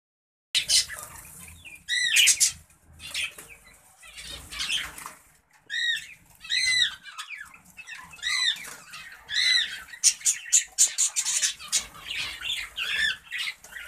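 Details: Zebra finches in a breeding setup: short nasal, honking calls with a bright harmonic ring, given singly or in quick pairs between pauses, with flutters and rustling of wings in between and a busier burst of calls near the end.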